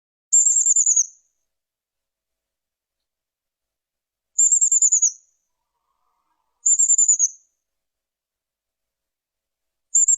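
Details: Chestnut-vented nuthatch giving a very high, rapid, slightly falling trill lasting under a second, repeated four times at gaps of about two to three seconds, with silence between.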